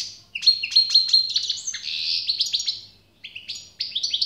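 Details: Goldfinch song opening with a quick series of sharp chirps, then a drawn-out buzzy note, a brief gap, and a final flurry of tinkling twitters.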